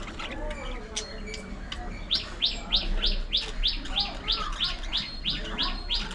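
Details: Aviary colony of budgerigars, a run of quick, evenly spaced high chirps about three per second, over softer background chatter.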